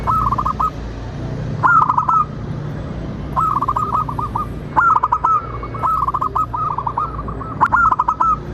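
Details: Song of a local zebra dove intended to get other birds singing in reply: lively phrases of quick, hooked coo notes, several in a row, separated by short pauses, with sharp clicking sounds and a low hum.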